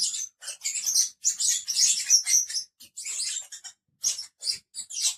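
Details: Five lovebirds kept as pets chattering loudly with overlapping shrill chirps and squeaks, dense runs broken by brief pauses.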